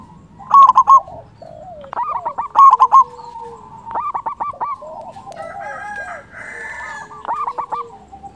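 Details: Frequently calling local zebra dove used to lure and stimulate other doves: two bursts of quick ringing coos near the start, then a busy mix of overlapping softer dove calls and a later quieter phrase.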